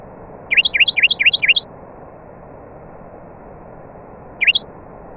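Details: Nightingale singing amid other birds: a quick run of five sharp, V-shaped whistled notes, then a pause and one more matching note. A steady low hiss runs underneath.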